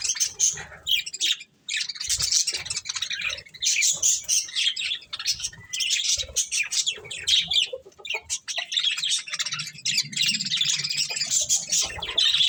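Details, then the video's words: Pet budgies enjoying corn keep up rapid, high chattering chirps and warbles, several birds overlapping, with a short gap near one and a half seconds and soft background bumps. "Cute Budgies Enjoying Eating Corn | Love Birds Chirping Sounds"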